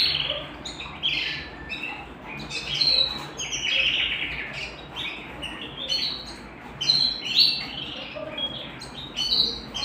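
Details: Singing canary kept at home: scattered bright chirps and warbled bursts rise and fall in loudness, with short pauses between the phrases.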